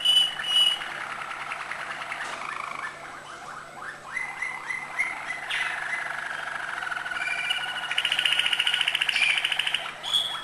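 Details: Malinois canary singing high notes: soft continuous rolls and burbling trills that shift in pitch, ending in a louder, fast pulsing roll and a final clear chirp.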